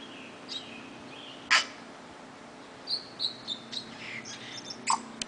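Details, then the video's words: Tui, one of a pair in an Auckland back yard, New Zealand: scattered high whistled notes and a few sharp clicks, some notes sliding upward, separated by short pauses. "Tui Song in my Auckland back yard"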